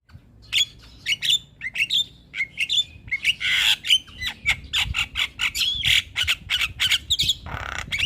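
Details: Javan myna, a caged bird, singing as a lure to stir a lazy bird into song: dense run of harsh squawks, clicks and short whistles, mostly high-pitched, delivered in rapid bursts with barely a pause over eight seconds.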